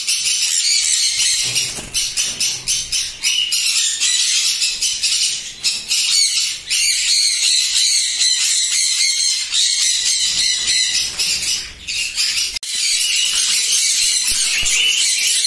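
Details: Many caged sun conures on a West Bengal breeding farm in India, sixteen pairs in all, give rapid, overlapping harsh shrieks, pulsing several times a second in an unbroken, piercing racket.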